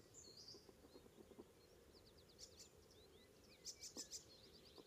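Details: Icterine warbler (Hippolais icterina) singing on the morning of 19 May 2016 north of Hollum, Ameland, Netherlands: a fast, varied jumble of high chirps, slurred whistles and scratchy notes over a low hum.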